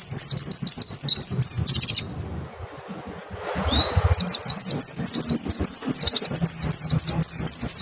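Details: White-eye song used as a lure to get other white-eyes singing: rapid, very high, thin twittering phrases, a pause of about a second and a half, then a long burst of fast zigzag notes, over a low background rumble.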